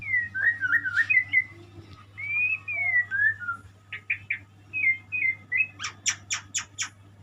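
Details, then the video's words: White-rumped shama, locally murai, singing slurred whistled phrases that rise and fall, then several short whistles and a burst of sharp clicking notes repeated rapidly at the end, over a faint hum. "burung muray , burung berkicau , burung bernyanyi"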